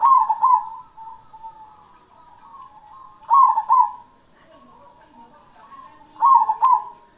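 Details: Actively singing cemani zebra dove gives loud stuttering coos about every three seconds, linked by soft, wavering trilled cooing at the same low pitch.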